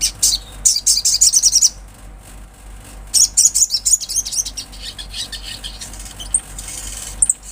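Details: Olive-backed sunbird in lively natural song: two bursts of rapid, high, thin chirping trills, the first about 1.5 seconds long and the second after a short pause, then softer scattered high notes at the end.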